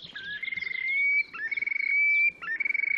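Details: Terek sandpiper displaying on 30 April 2019 in Oka Nature Reserve, Russia, near Lipovaya Gora and Verkhnee Sheikino on the Pra: long pulsing whistled trills that climb gently, broken by short upslurred notes, over faint background hiss.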